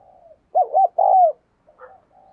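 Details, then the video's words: Spotted dove decoy cooing energetically to stimulate other birds to call. One phrase of two rapid throaty notes is followed by a drawn-out descending coo, with faint soft cooing before and after. "Chim Cu gáy Thúc Gù Căng Đét - Chim Cu Mồi"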